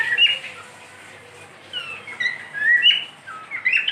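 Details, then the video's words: Pet cockatiel whistling, a short whistled phrase, a quieter gap, then a series of rising slurred whistles toward the end. "My cockatiel | beautiful Whistling"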